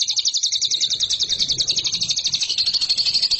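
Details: Lovebird song from a training recording for competition birds, a dense high rattling trill of quick repeated notes, unbroken throughout.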